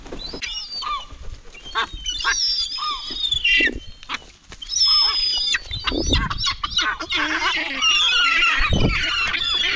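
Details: Gulls piling in for food, many birds calling together: drawn-out mewing wails and sharp yelping notes overlapping in a noisy flock, with low thumps and rustling beneath and a constant chattering din toward the end.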